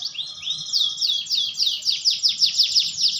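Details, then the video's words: Caged canary singing goldfinch-style phrases with long rolls: rapid series of high sweeping notes, first steady trills, then repeated descending swoops about three per second, clear and loud with little background. "KENARI GACOR NGEROLL CENGKOK GOLDFINCH"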